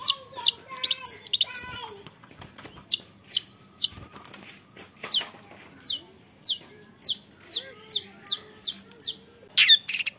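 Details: Young long-tailed shrike: a brief jumbled chatter at first, then a steady run of crisp, high, clipped notes repeated about every half second, with soft lower warbles underneath.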